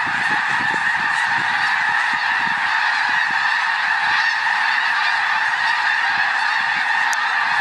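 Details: About ten thousand migrating snow geese in autumn at Reifel Bird Sanctuary, Vancouver, Canada, en route south to winter on the Gulf of Mexico, make a dense, unbroken roar of high, nasal yelping honks blending into one steady wall of sound.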